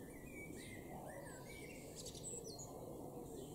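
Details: A common blackbird in a garden in Norden, East Frisia, northwest Germany, in April 2021 sings soft, fluty warbled phrases ending in a few thin, high twittering notes, over a steady low background rumble.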